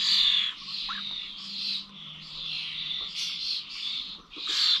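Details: Starlings gathered at the Corby old village bird feeders on 21 November give a continuous stream of scratchy, wheezy squawks that swell and fade, with a brief higher whistled note near the start.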